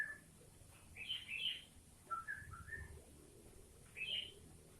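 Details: Sooty-headed bulbul song filled with green leafbird (cucak ijo) phrases: a low note, a bright whistled flourish, three short mellow slurred notes in quick succession, then another bright flourish, with faint hiss and low rumble behind.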